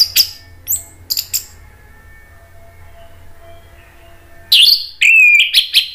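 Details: Orange-headed thrush song meant to provoke rival thrushes into answering: a few high chirps, a long pause with low hum, then a loud burst of whistled, slurred phrases near the end.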